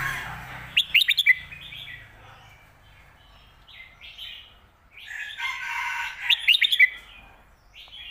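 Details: Red-whiskered bulbul performing the phat kuai tiao / khayao khuat song meant for teaching birds at home; two matching bursts of rapid, bright, clipped notes several seconds apart, with murmuring warbles between.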